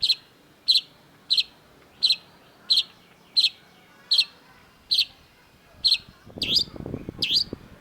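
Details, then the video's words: Long-tailed shrike singing: a steady series of sharp, high, clipped notes repeated about every two-thirds of a second, ending with two upswept notes over a brief low rumbling noise. "cendet gacor MASTERAN CENDET DURASI PANJANG || Long-tailed Shrike"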